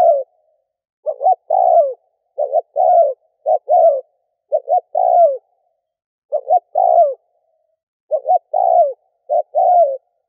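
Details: Decoy recording of a spotted dove used in Vietnam to entice wild doves. A steady series of coo phrases, each two or three short notes ending in a longer downward coo, with brief silent gaps.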